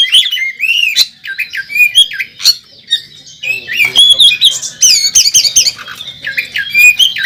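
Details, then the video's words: Caged contest Oriental magpie-robin singing persistently while fighting at a bird competition: repeated ringing whistled phrases, upward-arching notes and sharp chips, then a denser stretch of mixed warbles and clicks. "Burung Kacer Tarung Ngobra ngotot saat di trek | kacer juara 1 nasional | Kacer gacor full isian"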